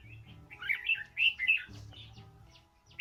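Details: Stimulating song of a red-whiskered bulbul to bring out voice: rapid chain of rich, bubbly whistled notes, loudest in the middle, with a faint low hum underneath and a sharp final note.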